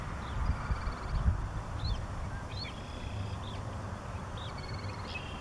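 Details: Short-billed dowitchers recorded in Mower County, Minnesota, 8 May 2014, giving scattered short whistled and trilled calls around three to five kilohertz, several rapid stuttering series, against constant low-frequency rumble.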